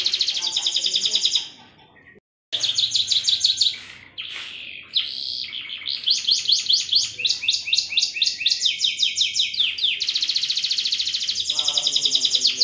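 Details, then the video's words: Canary in gacor cengkok mewah style, delivering bursts of high rapid trills and rolling phrases broken by a short silence and a brief lower-pitched break before trilling resumes. "Suara Burung Kenari Gacor cengkok mewah"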